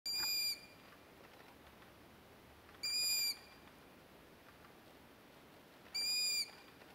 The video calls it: Tawny Owl Call